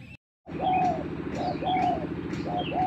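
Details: Spotted dove lure bird against a newly trained bird: after a brief dropout, low arched coos repeat about once a second over a steady droning hum, with thin higher chirps from other birds.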